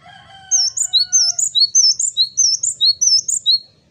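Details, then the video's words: Male Java sparrow singing energetically: a steady string of about fifteen high, bell-like chirps, preceded at the start by a fainter, lower drawn-out whistle from another bird. "Burung Gelatik Jantan Gacor, Wucit wucit...."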